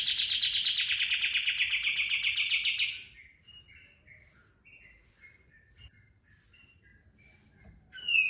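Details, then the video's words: Cotton bird, known locally as kapas tembak, used as a lure song for training birds: a loud rapid trill near 3–4k for three seconds, then softer scattered short whistled notes, ending with a burst of high chatter. "PANCINGAN BURUNG KAPAS TEMBAK GACOR FULL TEMBAKAN TERBAIK"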